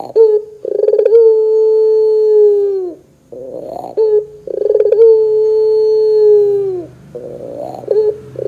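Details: Barbary dove in the pelung style, played as a lure to make other doves sing: a stuttering pulsed start swells into a long steady hum of about two seconds, then a low rolling gurgle, repeated twice.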